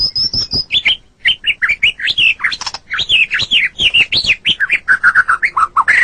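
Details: Masteran recording of a white-rumped shama for training caged songbirds: high whistles opening into a long, varied chatter of quick up-and-down notes, steady and loud throughout.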